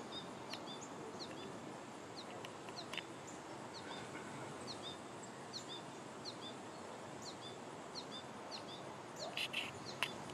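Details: Goldfinches in a backyard: short, high chirping notes repeated in loose runs throughout, over a steady hiss of background noise, with a brief louder burst of sound near the end.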